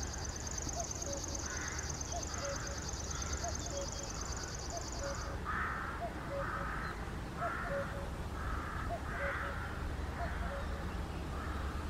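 A male river warbler gives a high, rapid, insect-like rhythmic buzzing that stops after about five seconds; repeated harsh crow-like calls and low background rumble follow.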